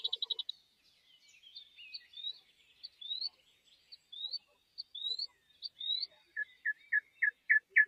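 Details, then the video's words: Songbird in the wild, quiet and somewhat distant: a quick trill, then repeated rising whistled slurs, ending in a string of sharper lower chips. "suara merdu burung dialam."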